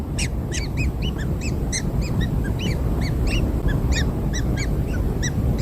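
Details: Just-hatched kingfisher chicks fed black insects make rapid, sharp, arched chirps in irregular clusters, some higher and thinner, against a rough low background rumble.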